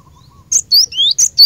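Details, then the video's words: Cinereous tit song meant as a lure to make caged birds sing: after a faint soft tone, a burst of bright upslurred whistles and piercing high notes in quick alternation, very loud and clean. "Burung Glatik Batu Pikat Gacor"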